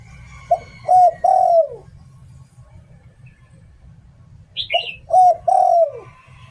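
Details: Spotted dove kept as a decoy, 'Liu Tan' song style: two deep cooing phrases separated by a pause of several seconds, each a short coo then a long falling coo, with a brief higher chirp just before the second phrase.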